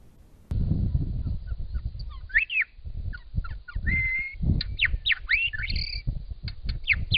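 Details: Spring song of a Grey Shrike-thrush in Australia. Melodious whistled phrases mix sharp up-and-down slurs, a sustained level whistle, and quick note clusters, over intermittent low rumbling and handling noise.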